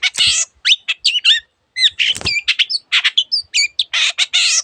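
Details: Energetic Long-tailed shrike song used for tutoring hesitant songbirds, full of other birds' sound variants: rapid harsh chatters alternate with thin whistled upslurs and twitters, with a brief rattling clatter midway and a pause near one and a half seconds.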